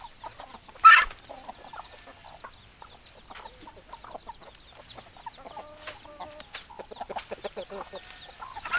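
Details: Chickens, hens clucking close by: a loud harsh squawk near the start, then many short rhythmic clucks and a few drawn-out, slightly nasal calls from several birds, over a quiet background.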